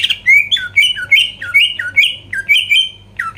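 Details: Greater green leafbird in lively song to rouse rival birds: loud rich whistles dipping and rising, each phrase a quick slurred pair, repeated about every half second.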